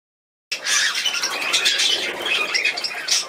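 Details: Young cockatiel during hand feeding: harsh, raspy, continuous squawking begging calls in quick succession after a brief silence, with scratchy wheezing texture throughout.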